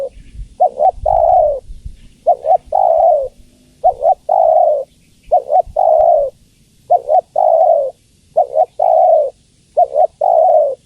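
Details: Spotted dove, a female calling to the male, repeats a three-part coo about every one and a half seconds: a quick double note, then one longer, mellow note, with faint low rumbling at first.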